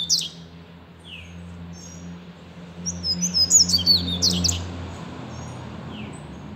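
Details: Seedeater singing: a burst of high, thin, rapid whistled and buzzy notes midway through, with scattered brief chirps before and after over a steady low hum.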